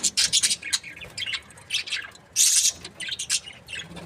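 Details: Short bursts of shrill, fast chirps from a happy breeding pair of budgerigars, with a loud squeaky outburst about halfway through.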